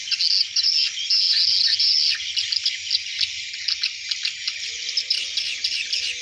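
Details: Hundreds of swiftlets going into the nest at dusk, a loud, unbroken mass of high chirps and twitters, with a faint low rumble beneath.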